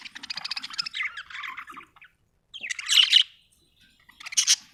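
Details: Budgerigar chatter: a fast string of grating chirps, then a louder squawking burst after a pause and a final sharp high call.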